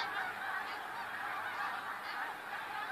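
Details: February 28, 2013: a huge flock of snow geese gives an even, rolling din of overlapping honks, thick and continuous throughout.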